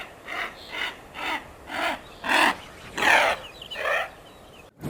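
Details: Smew calling: a run of about seven harsh, rasping croaks, one roughly every half second, swelling louder through the middle of the series, over a faint steady background hiss.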